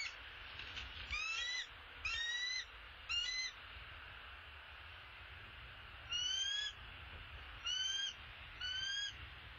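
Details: Bald eagle calls at the nest as the male seemingly arrives with an opossum. Three high, thin, stuttering squeals come in quick succession, then a pause of a few seconds, then three more similar piping calls, with a faint low rumble behind.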